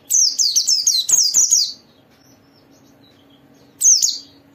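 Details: White-eye (pleci) singing in a lively "gacor" style, used as a lure to get other white-eyes to open their beaks and sing: a run of high, sharp descending chirps for nearly two seconds, a pause, then another burst.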